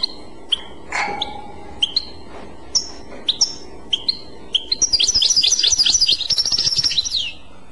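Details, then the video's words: Goldfinch song of the Clochette style, opening with spaced high chirped notes in pairs, then breaking into a long rapid series of bright ringing trilled notes. "تغريد كلوشات Chant Clochette"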